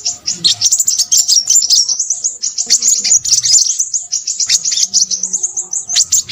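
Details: A crimson sunbird sings a busy, chattering song: quick, thin, piercing notes tumble over each other in a steady high twitter.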